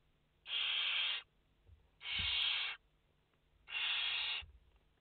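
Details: Three drawn-out rasping hisses from barn owl chicks in a nest holding five young, each lasting under a second and spaced evenly about one and a half seconds apart.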